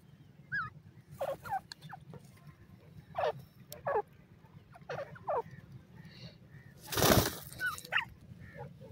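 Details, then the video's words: Francolin giving a series of harsh, slurred notes that drop in pitch, spaced every second or so, interrupted by a loud burst of broadband noise midway. "Bhura Teetar Ki Khushi,Sindhi Teetar Ka Tamasha"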